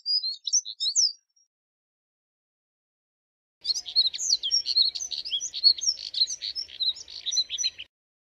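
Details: Moussier's redstart gives a brief high twittering phrase, then after a pause a longer scratchy, rapid warble of thin high notes lasting about four seconds.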